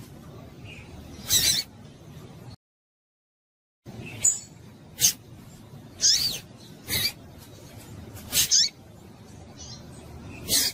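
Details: Female double-collared seedeater giving calls meant to excite males: repeated short, high, scratchy squeaks roughly every second, broken by a brief silent gap.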